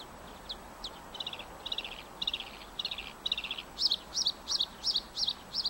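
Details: Bluethroat in full song: a few single notes, then a series of buzzy rattling trills, switching to loud, ringing high phrases repeated in quick succession.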